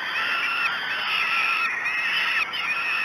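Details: Falcon chicks at a morning feeding, Great Spirit Bluff, June 2016, keep up a dense, overlapping stream of scratchy begging wails with hardly any break.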